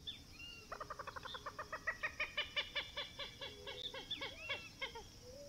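A Common Gallinule gives a rapid run of about twenty harsh, clucking notes that speed up, then slow, ending with a few squeaky, rising calls.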